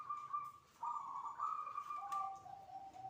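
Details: Zebra dove (perkutut) singing in its 'adzan' style, recorded just before the midday call to prayer: a continuous rolling, warbled coo, first higher, then dropping to a lower, steady trilled tone for about three seconds.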